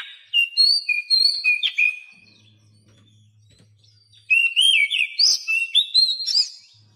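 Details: Training song of Oriental magpie-robin played to silent caged birds: sweet slurred whistles in a first phrase, a pause with a low hum, then a rich run of rising and falling whistled notes.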